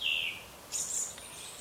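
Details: Birds singing in the morning: a clear whistled note sliding down from high to slightly lower pitch, then a brief burst of very high, thin notes.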